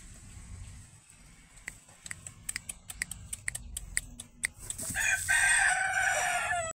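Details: Bantam rooster crowing. A run of sharp clicks and taps comes first, then a loud, harsh, strained crow that fills the last two seconds and cuts off abruptly.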